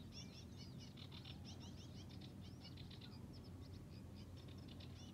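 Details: Sedge warbler still singing in reeds at Hörningsholm, Alnö, 9 July 2021, delivering a fast, unbroken chatter of scratchy, varied notes mixed with sweeter whistles, over a steady low wind rumble.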